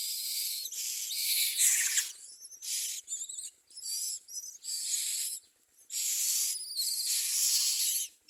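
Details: Common myna chicks at the nest producing dense, loud, raspy hissing, nearly continuous, broken by short pauses and with some brief squeaky notes mixed in.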